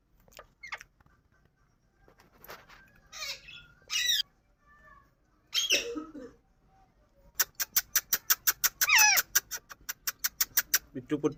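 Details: Indian ring-necked parakeet: a few scattered harsh squawks, then a rapid run of about twenty sharp, evenly spaced screeches, roughly six per second, ending with a lower rasp.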